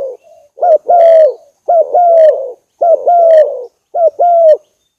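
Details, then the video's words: Lure recording of a spotted dove giving four loud, low coo phrases, each a quick double note followed by a long, slightly falling coo, spaced about one second apart. "file cu moi"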